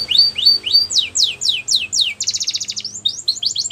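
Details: Canary song used for training young canaries: repeated high whistled sweeps, first short rising-falling notes, then longer descending slurs, then a rapid bright trill near 2.2 seconds and quick rising notes at the end.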